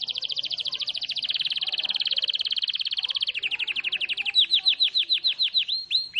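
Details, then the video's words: Canary singing hard: a long, rapid, buzzy high trill slows into distinct chirps, then into loud, clear whistles that each swoop downward, repeated about once every third of a second. "SUARA BURUNG KENARI GACOR"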